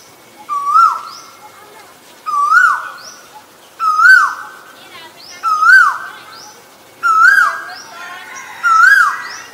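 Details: Loud, steady series of six whistled koel calls, each sliding up then down, about every one and a half seconds; a chorus of sharp, high chirping birds rings behind.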